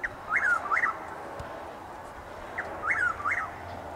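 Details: Lake Placid, Florida, 12 April 2023 at dawn in drizzle: a Chuck-will's-widow repeats its phrase twice, a brief note followed by two slurred whistles that rise and drop, about two and a half seconds apart.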